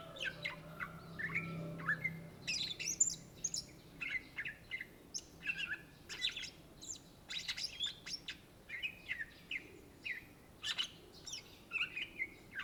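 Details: Cucak ijo or greater green leafbird in long, full song: a steady stream of varied whistles, chirps and buzzy notes, tightly packed phrases repeating for over twelve seconds, faint low hum early on.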